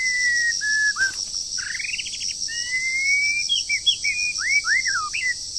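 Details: Moulting wild bird singing in the breeding season while trained: level whistles, a fast stuttering rising trill, then looping downslurred notes in quick succession, with a constant high hiss behind.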